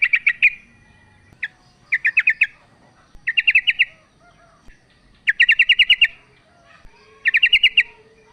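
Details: Female yellow-vented bulbul calling the male: short bursts of five to eight rapid, sharp chattering notes, each burst lasting under a second and repeated about every one and a half seconds over quiet background.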